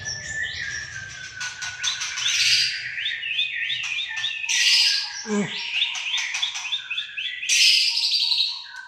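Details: White-rumped shama of Aceh origin in continuous rich song, layered buzzy warbles, rapid chips and whistled slides, with a brief low thud and faint background hum.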